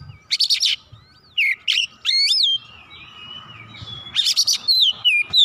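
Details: Agitated oriental magpie-robin singing its full repertoire: harsh chattering bursts, rising slurred whistles and a long wavering whistled note, ending in a sequence of clear descending whistles, over a low background murmur.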